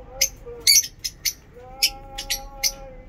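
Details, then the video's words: Lovebird chirping in fine weather in Peshawar: short, harsh, broadband chirps in loose bursts, some paired, over a steady low machine-like hum. "Lovebird Chirping in awesome weather today in Peshawar"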